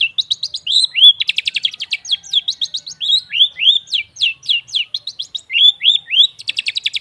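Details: Long-tailed shrike lure singing for birds that have gone quiet: fast rattling trills alternating with rising-and-falling slurred whistles, delivered almost continuously and clean of other sounds.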